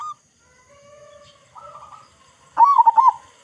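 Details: Local zebra dove with a strong voice, kept as a lure for other doves: quiet, drawn-out notes at first, then a sudden loud, wobbling, pulsed coo burst at the end.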